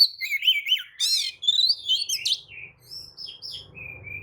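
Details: Lure song of an Oriental magpie-robin, used to make rival birds answer and spread their tails. A dense run of loud rising and falling whistles and buzzy notes fades into softer drawn-out whistles over a low hum.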